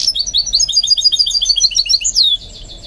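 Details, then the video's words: Goldfinch mule, a hybrid cage bird being trained to sing, delivering a rapid run of bright, high chirping notes repeated several times per second, ending in a sharper upward-then-falling twitter, with no other sounds. "What I Learned from Training My GOLDFINCH Mule to Sing"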